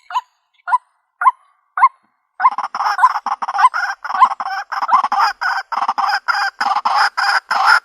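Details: White-breasted waterhen, a trap-luring call in the country: four short, spaced croaks open, then a fast run of harsh, chattering notes packed closely together, grating and insistent.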